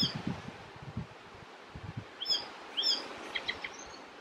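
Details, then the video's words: Icterine warbler song from Västerbotten on 27 June 2021: loud upward-slurred whistled notes, then a brief harsh chatter and a thin whistle, over rustling and low rumbling noise. "Härmsångare - icterine warbler - Hippolais icterina song"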